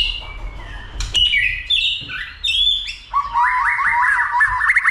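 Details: White-rumped shama stimulated to sing and fight, flicking its tail: descending whistle, then warbled phrases and a fast stuttering run of repeated notes.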